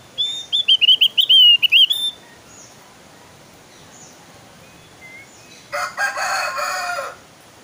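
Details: Javan grey-throated white-eye, lively song: about ten rapid, clear whistled notes rippling up and down for two seconds, then quiet with faint notes, then a loud harsh buzzy rattle lasting over a second.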